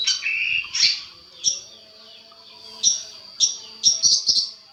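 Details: Long-tailed shrike calls used as a master recording meant to provoke replies and agitation even in stressed birds: a longer opening note, then short, high, harsh notes spaced unevenly and bunched toward the end, over a faint low steady hum.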